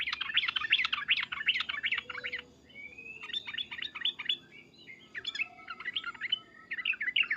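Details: Agitated sooty-headed bulbul calls, loud 'cuk-cuk' and 'uplik-uplik', used to get bulbuls singing back: dense fast chattering bursts of bubbly notes with short gaps between them.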